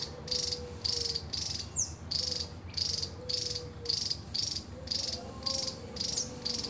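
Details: Ngebren-style song of a Javan tesia, a long run of short, high, buzzy rattling bursts repeated about twice a second, broken by occasional sharp falling whistles, with a faint lower whistled tone and constant low hum behind.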